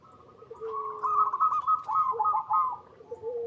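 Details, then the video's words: Zebra dove with a soft, continuous run of bubbling coos rising in loudness mid-phrase, alongside a lower drawn-out call. "PERKUTUT LOKAL GACOR Suara Paling AMPUH"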